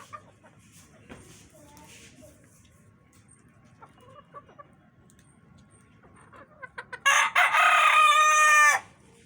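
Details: Domestic rooster with its hens: several seconds of faint clucks and movement, then short sharp opening notes leading into a loud, sustained crow near the end.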